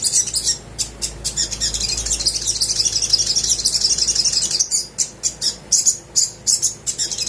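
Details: Little spiderhunter (sogok ontong) in sustained song used as a singing lure: a long unbroken stream of high, shrill twittering, ending in distinct sharp chips about three per second.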